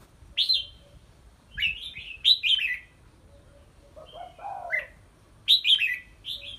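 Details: Caged red-whiskered bulbul exercising in a small hanging bamboo cage; chains of whistled falling notes, a lower warbled phrase in the middle, then more bright high phrases, with quiet low background noise.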